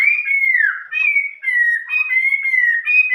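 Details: Continuous whistled song of a Chinese hwamei in the old-forest voice style, a string of long, gently wavering pure notes with slight rises and falls, delivered without a break for over three seconds.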